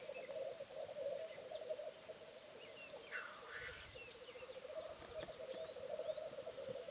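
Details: Bog lek of a male black grouse: rhythmic bubbling rookooing rolls on and on, a brief hissing rush midway, and scattered thin calls of other birds.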